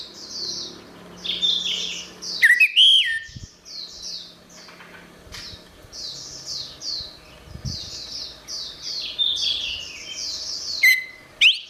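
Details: Orange-headed thrush song used as therapy for a bird that will not sing: continuous high chattering, mimic-like phrases with a few loud slurred whistles breaking through, some faint rustling in the background.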